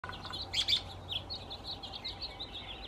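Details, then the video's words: Male American robin calls, California 92563, in a group of about a dozen with many similar groups nearby: a run of short, high chirping notes, busiest at first, then thinner scattered chips over faint hiss. "Male American robin calls"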